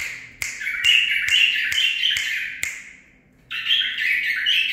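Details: Captive-bred male bulbul, nine months old, raised by its keeper and taught song phrases from another bird. It gives rich warbled phrases around the upper-middle range, sliding and bubbling, with sharp repeated clicks in the first half, a pause, then another warble.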